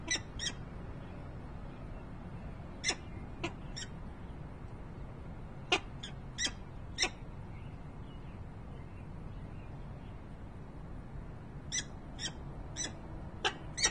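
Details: Peregrine falcon at Harrisburg, Pennsylvania, on 28 November 2020, producing scattered bursts of sharp, harsh chipping notes, some in quick pairs, separated by long quiet stretches, with a faint low rumble throughout.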